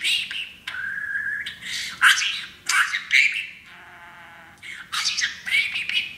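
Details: Pet male parakeet, happy on a new playground, practicing phrases taught by his owners such as "baby bird"; chattering, squawky warble with buzzy bursts and short whistled notes, some broken by brief pauses, indoors.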